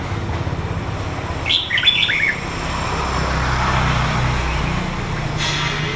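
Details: Wild-origin red-whiskered bulbul from A Lưới in Huế, Vietnam, red-patched, two seasons: a single short, chirpy warbling phrase of bouncing whistles, followed by steady low mechanical rumble and hiss.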